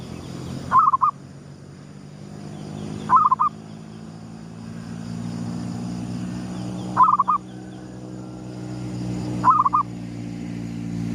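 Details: Gedong mengo zebra dove, a local lure bird, calling at sunrise: four short rolling coo bursts of rapid soft notes, spaced roughly two to four seconds apart, over a steady low mechanical hum.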